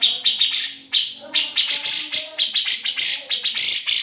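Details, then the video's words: Grey-cheeked bulbul (cucak jenggot) singing a master song with besetan, ngepik and ngetril styles, used to train white-rumped shamas and leafbirds, unedited recording: quick run of sharp, buzzy chattering notes, each bursting high, with brief pauses. "Cucak Jenggot (Kamandanu) Masteran Wajib Murai Batu & Cucak ijo dan burung lain nya"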